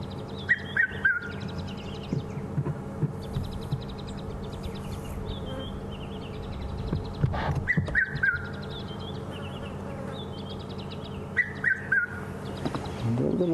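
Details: A Red-chested Cuckoo, a summer bird hiding unseen before flying off, gives three clear whistled notes, each lower than the last, repeated three times, over a low engine rumble and faint insect buzzing on an October 20 sunset safari drive.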